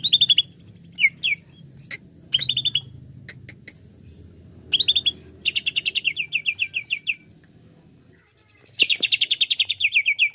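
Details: Greater green leafbird song used as a lure to excite other leafbirds: bursts of fast, rapidly repeated sharp chirps sliding slightly downward, with short pauses between phrases and a faint low hum underneath.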